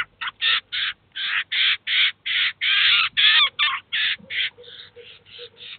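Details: Eurasian jay and chicks at a cheese feeder in Kaluga, the adult teaching and feeding the young birds; a steady run of about seventeen rough rasping calls, each brief, fading somewhat toward the end, with faint lower tones beneath.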